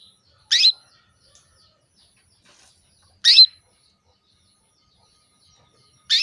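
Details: Calling female canary luring a male into breeding condition; sharp short chirps spaced roughly every two and a half to three seconds, with clean silence between them.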